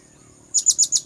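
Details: Blue-crowned hanging parrot lure call used to attract birds: four thin, very high, sharp chirps in a quick even run, about eight per second, over a faint steady high hum.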